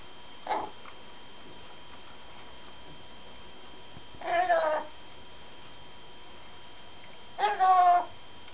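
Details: A very excited parrot indoors repeats harsh, nasal, wavering cries about every three seconds: a brief faint note, then two longer meow-like squawks, over a steady background hum.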